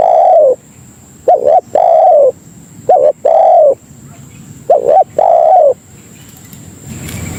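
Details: Spotted dove lure call for calling fellow doves: three soft cooing phrases, a doubled short note then a prolonged falling coo, spaced about two seconds apart, ending in a faint rustle.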